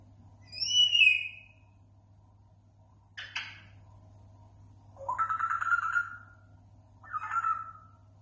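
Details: A pet grey parrot, said to imitate various sounds, gives a high, wavering whistle, a sharp clicking burst, then two harsh, nasal squawks. A low steady hum runs underneath.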